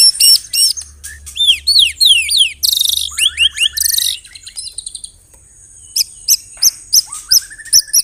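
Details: White-rumped shama song filled with canary and cililin phrases, delivered loudly: sweeping slurred whistles, a harsh buzzy burst, rising trills, then evenly spaced high ticks and a rising whistle near the end.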